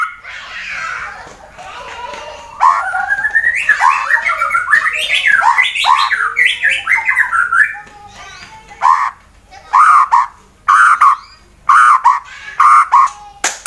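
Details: White-rumped shama, a fighter bird in Wonosobo, Central Java, Indonesia, used to provoke rivals: a long, tumbling warble of varied whistles and chatter, then separate loud, sharp phrases with short pauses.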